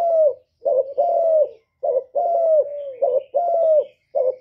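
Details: Spotted dove, a kept bird, cooing loudly, recorded without background noise and used to stimulate other caged doves to sing. Low, mellow coos, some short and some drawn out and gently falling, repeated in close succession with brief pauses.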